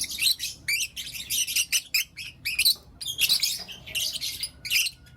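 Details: Lovebirds, Blue Opaline and Lutino Opaline, kept as pets and chirping in the morning: dense bursts of harsh, high, buzzy chatter in quick overlapping runs with brief gaps, no other clear sounds.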